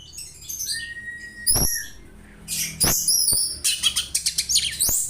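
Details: Oriental magpie-robin song copying a house sparrow, intended for tutoring: high chirps and sharp whistled notes, mixed with loud clicks, building to a fast string of short chirps.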